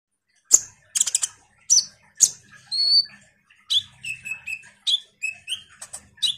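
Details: Common iora song played to prompt other songbirds to respond: high clear whistled notes and short slurred phrases, some falling, mixed with sharp clicks, about one note per second.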